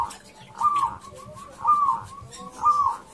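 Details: Local zebra dove male courting a female: three soft, mellow coo phrases, each a slurred rising-then-falling whistle about a second apart. Quieter notes fall between them over faint room noise.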